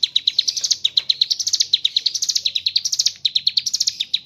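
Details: Mountain leaf warbler (ciblek gunung) in nonstop 'gacor ngebren' singing, with its repertoire said to hold kapas tembak imitations: a rapid, unbroken chatter of thin, high notes that dip and climb in short repeated waves.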